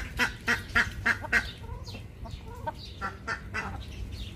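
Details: Ducks calling: a quick run of five loud, harsh quacks about a quarter second apart, followed by softer, irregular quacking and nasal calls over a steady low background rumble.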